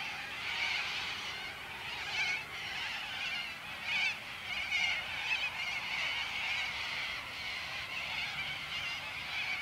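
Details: A large flock of corellas at Warwick in May 2013, calling before feeding on crops, keeps up continuous harsh, raspy screeching, overlapping shrieks surging and fading without a break.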